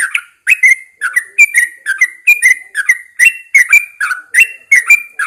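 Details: Morning song of a caged Yellow-vented Bulbul placed outdoors at first light: continuous bubbly chatter of quick, slurred whistled notes, each phrase a short warble, delivered almost without gaps.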